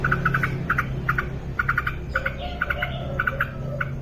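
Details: Short bright notes in tight bunches of two to four from an actively singing female yellow-vented bulbul, repeated steadily, with faint lower whistles and a low hum beneath.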